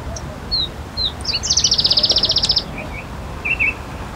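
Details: High-pitched Palestine sunbird song: scattered thin chips lead into a rapid, buzzy trill of about fifteen notes lasting a second, followed by a couple of short twittering notes, with low background hum.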